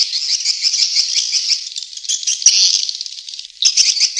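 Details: Swiftlet lure sound, Tombak Raja style, to attract swiftlets: unbroken high buzzy twittering that wavers in loudness, briefly dipping before a louder burst at the end.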